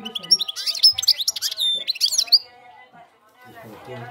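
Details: Campero-style singing from a European goldfinch, quick sparkling chirps and liquid trills for about two seconds, then near silence with a faint voice at the end.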